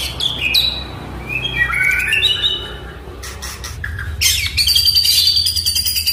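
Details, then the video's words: Song of an Oriental magpie-robin, played to coax a quiet bird into singing: rising and falling whistles, then dense harsh scratchy chatter over a low background hum. "MURAI DIRUMAH DIEM,//, COBA DENGARKAN KICAUAN INI"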